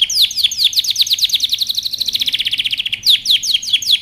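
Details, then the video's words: Canary in training song, giving down-slurred whistles that accelerate into a fast rolling trill, then slower swooping notes return. "canary training song"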